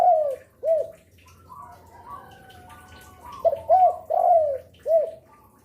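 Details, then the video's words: Spotted dove kept as a lure bird for wild doves, singing actively: arched coos open and close the stretch, a three-coo phrase follows a quiet gap with faint hum and higher chirps from other birds. "Derkuku gacor rajin bunyi siang sore malam cocok untuk pancingan"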